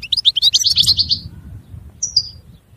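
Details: European goldfinch singing a rapid series of liquid, high twittered notes, then a short pause and a brief thin whistle, over a soft low background hum.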